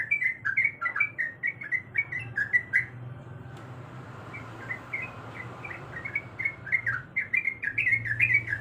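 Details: Calling to attract a male, a female sooty-headed bulbul in breeding condition gives quick bouncing chirps, goes quieter mid-way with a softer run, then loud rapid notes return. A low hum runs throughout.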